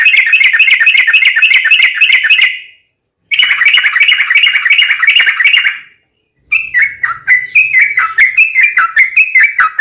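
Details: Sooty-headed bulbul ropel panjang, a long fast trill meant to draw other bulbuls into song: two buzzing, tightly packed chatter bursts separated by silences, followed by a looser run of descending chirps.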